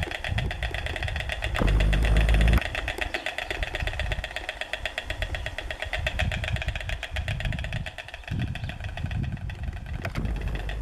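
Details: White storks, a nesting pair on top of a column at the Roman ruin of Volubilis, Morocco, clatter their bills in a fast, dry, machine-gun rattle for several seconds, over low wind rumble and a brief loud gust.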